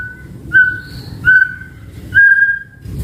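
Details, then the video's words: White-rumped shama, a lure and tutor recording meant to draw a reply from other shamas: three long, steady, pure whistles on one pitch, each lasting about half a second, over a low rumbling background. "Pancingan Murai Batu AUTO NYAUT Langsung RESPON Bunyi - Masteran Suara Burung Murai Gacor Full Isian"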